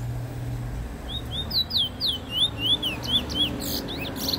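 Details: Black bullfinch, recorded in 2019, singing a quick run of clear, slurred whistles, some rising and some falling, over a low background hum.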